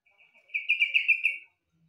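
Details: Yellow-vented bulbul, its song compared to the green leafbird's, giving a steady, pulsing warble of about six linked bubbly notes lasting roughly a second, preceded by a quieter lead-in.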